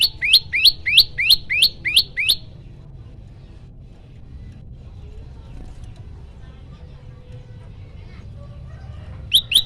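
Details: Prenjak lumut, a prinia, in a loud 'tembakan' song variation used as a master and lure for other birds: seven rapid, sharp, high chirps in just over two seconds, then quiet before a last pair of notes.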